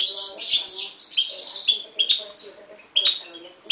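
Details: Hybrid mule of Himalayan goldfinch and timbrado canary, 2011 bird, opening with a loud buzzy warble, then scattered sharp chips and short whistles, low murmuring behind.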